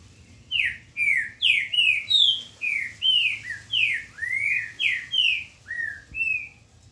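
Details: Green-winged saltator (trinca-ferro), recorded on 8 October 2021, sings a steady run of loud, clear whistled phrases, each note slurring downward, delivered roughly every half second in a rich, ringing series.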